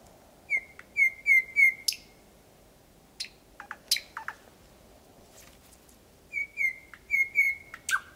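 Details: Thrush nightingale in Estonia singing in the night of 8 May 2020: short groups of clear, slightly rising whistled notes, separated by a quieter stretch of scattered clicks and pauses.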